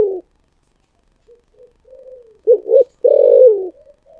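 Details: Spotted dove giving the 'thổ sấm' (thunder voice) cooing style: soft low notes, then two quick throaty coos and a long, deep, drawn-out note, trailed by faint quiet calls.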